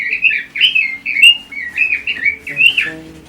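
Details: Continuous mellow warbling of a red-billed leiothrix, looping whistled phrases that dip and rise without break, ending in a downward slur; low droning hum in the background.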